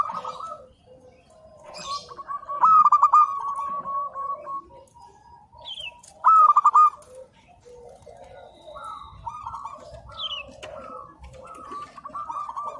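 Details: Local zebra dove singing constantly: repeated phrases of quick, stuttering coos at a steady mid pitch, with softer cooing and scattered chirps from other birds over a noisy background.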